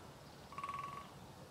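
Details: Great spotted woodpecker drumming its beak on dead wood to communicate, a sound carrying over long distances: one short rapid burst of about ten hollow knocks lasting half a second, over steady low background noise.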